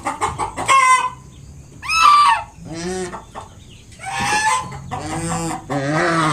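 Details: Protective mother swan, kept with her five newly hatched cygnets, honks to keep an approaching person away: about six separate nasal, harmonic honks, some sliding downward, spaced by short quiet gaps.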